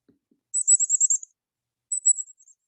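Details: A Black-capped Chickadee gives its seet alarm call, used when an aerial predator is near: very high, thin seet notes in a quick run of about six, then a shorter, fainter burst.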